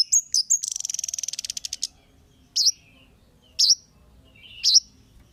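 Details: Kemade call used to provoke other birds into responding. It opens with a few piercing chirps and a rapid buzzy rattle, then three sharp, high, down-and-up notes spaced about a second apart over faint background hiss.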